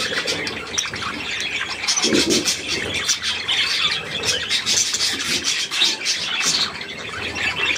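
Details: Young budgerigars near millet, 3 May 2024: scratchy, rasping high chatter pulses continuously, with short lower grating bursts around two seconds and again near four and six seconds.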